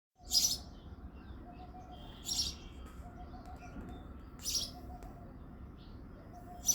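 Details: Male house sparrow singing and chirping in the early morning in February: four loud, short, bright cheeps spaced about two seconds apart, with a low steady background hum.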